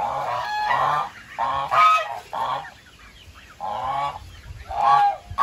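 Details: Loud goose honks, harsh and nasal, in short bursts with a pause midway before more honking resumes.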